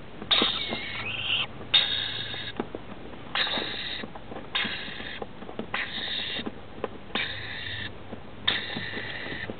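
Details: A family of four rainbow lorikeets, adult male and female plus two young, roosting in a roof as night falls, giving grating, buzzy screeches in rough bursts of roughly half a second to a second, one after another with brief pauses, over faint hiss.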